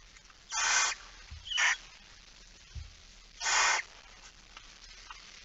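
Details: Barn owl at a nest during feeding at 06:57 on 13 September 2019, Netherlands: harsh broadband hissing screeches about half a second long, three main bursts with quieter gaps and faint low thumps.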